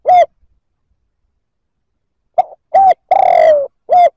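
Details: Spotted dove cooing meant to provoke other males: a single coo, a quiet gap, then a stuttered note, a firm coo, a long wavering falling coo and a final short coo.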